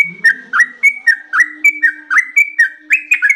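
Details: Trucukan song in the ropel panjang style: bright, slurred whistles rising and falling in a lively, steady stream, with a soft low hum behind the bird.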